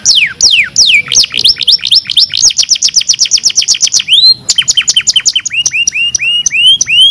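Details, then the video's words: Canary song played as a training recording for canaries: loud, high trills of rapid downward-sweeping notes, then repeated rising whistled slurs, phrases changing every second or two, no other sounds. "KANARYA SESİ EĞİTİM ÖTÜŞÜ CANARY VOICE!!!"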